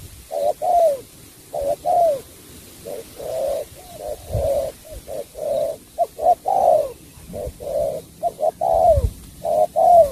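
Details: Cooing spotted dove, Cà Mau, delivering a long run of paired coos, a brief lead note then a drawn-out downslurred coo, roughly one phrase per second with slight variation.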